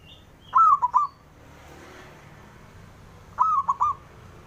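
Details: Male zebra dove of local stock calling to goad rivals into answering. Two crisp cooing phrases about three seconds apart, each a rapid stutter of ringing notes. Faint thin chirps in a near-silent background.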